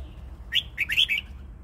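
A red-whiskered bulbul gives one brief, bubbly phrase of four or five quick, liquid, mid-high notes over a faint low hum.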